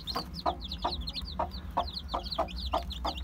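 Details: One-day-old chicks, listed as Aseel, Heera, Java and Muska breeds, give rapid shrill cheeps in overlapping flurries. Loud taps land roughly every third of a second over a constant low hum.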